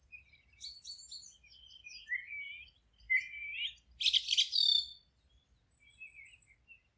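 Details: Forest birdsong of several birds, high twittering and sliding whistled notes, a sudden loud buzzy burst of rapid notes, then softer scattered chirps above a faint low hum.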